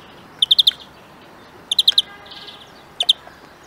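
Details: European greenfinch song, heard as three short bursts of bright, clipped chirps, each burst three or four notes long, separated by about a second, with a softer buzzy phrase in the second burst over a faint steady background hiss.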